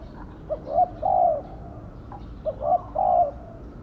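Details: Decoy spotted dove cooing twice, each phrase a soft short note, a quick second note and a long, level, hollow coo.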